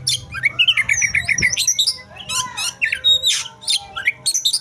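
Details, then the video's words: Oriental magpie-robin in fight mode: a dense, fast run of varied whistled and chattering notes, with a repeated trill of short rising notes early on, swooping slurs, and harsh buzzy bursts, all packed into a few seconds. "Fight mode | Magpie Robin"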